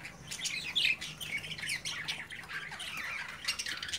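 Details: Budgerigar chicks playing in their cage while their parents watch; dense, scratchy high chirps and squawks tumble over each other, rising and falling in quick bursts with no pauses.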